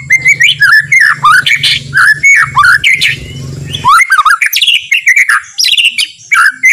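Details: White-rumped shama song, soft and relaxed, used to provoke other shamas into singing: clear whistled notes that slide up and down, given in quick phrases, over a low electrical hum that drops out midway.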